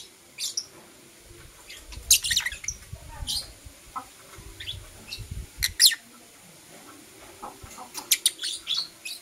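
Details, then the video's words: Blue opaline and parblue euwing opaline lovebirds chirping in the morning, bright high squeaky notes in uneven groups, a chattering run near the end, over low rustling and handling sounds. "Lovebird Chirping Sounds"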